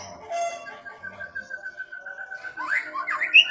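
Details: White-rumped shama in gacor song: a long steady whistled note held for about two seconds, then quick looping whistles that sweep up and down in pitch.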